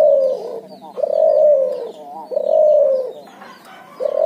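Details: Cooing from a spotted dove and zebra dove cross: long, smooth, slightly falling coos of about a second each, repeated with brief gaps, loud and clear over a quiet background.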